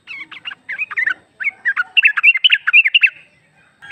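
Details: Female yellow-vented bulbul calling to a male, used to lure and stimulate other bulbuls: a continuous jumble of quick, slurred chirps rising and falling, building into a denser chatter before stopping.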